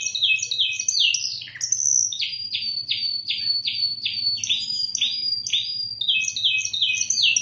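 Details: Spanish timbrado canary, Indonesia, singing quick bright chattering phrases, then a long even series of about ten falling notes, returning to rapid high twitters; a low mechanical hum runs throughout.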